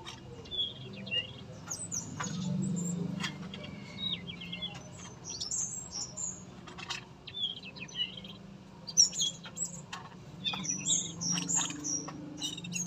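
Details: Tame male yellow-rumped flycatcher in a breeding aviary sings actively: scattered high whistled phrases and sharp slurred notes, separated by gaps and loud clicks or taps, over a steady low hum, with a denser burst of notes after nine seconds.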